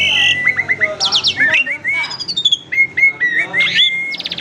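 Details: Captive Asian pied starling with a lure song: a string of bright whistled slurs repeated in quick succession, interspersed with high sharp trills and scratchy notes, very clear and close.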